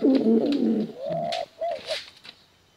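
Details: Pigeon, male or female of a contest line, giving a deep rolling coo followed by two smooth, slightly higher drawn-out coo notes, ending in quiet.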